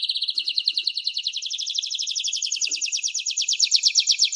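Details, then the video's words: Canary singing, a fast rapid trill of high notes repeated many times a second, steady and slightly rising toward the end, with a faint low tap in the background. "Canary-Canario Singing 2017(Kanarya Ötümü)"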